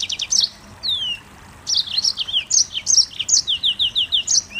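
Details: Mozambique canary sings high clipped chirps, a long falling whistle, a short pause, then a lively run of repeated bright notes and slurs.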